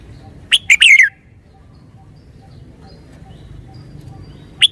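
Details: Red-whiskered bulbul giving one clear, emphatic song phrase of quick whistled notes that slur downward, followed by near silence and a single brief note at the very end.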